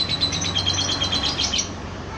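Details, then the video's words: Brief burst of balibu lovebird ngekek chatter, a quick string of high, even twittering notes lasting under two seconds over steady low hum. "LOVE BIRD BALIBU GACOR NGEKEK PANJANG"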